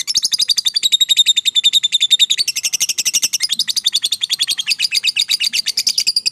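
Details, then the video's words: Fighter lovebird performing its long chattering 'ngekek panjang', used to stimulate lovebirds that are lazy to sing: a continuous, very rapid, high, buzzy trill of pulsed notes running unbroken throughout, several per second. "Suara Burung LOVEBIRD FIGHTER Ngekek Panjang"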